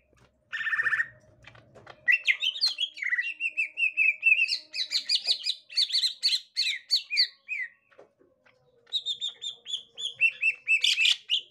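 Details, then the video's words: Green leafbird, gotri type, reacting on finding a young wild green leafbird: varied loud chirps, trills and whistled phrases in rapid bursts, with a pause near the eighth second and a faint low hum beneath. "Tingkah Cucak Ijo Gotri Saat Di Temukan Cucak Ijo Muda Hutan"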